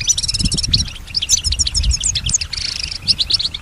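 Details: Female European goldfinch imitating sounds around her: a rapid burst of high tinkling trills followed by scattered liquid chirps and a short buzzy phrase, with some low-pitched background noise.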